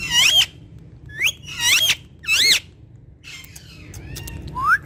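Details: Ringneck talking parrot, kept as a speaking pet that talks in Urdu and Hindi face to face. Four loud, shrill squawks with bent, rising-falling tones, then softer chirps and a final upward-sliding squeal, over faint background music.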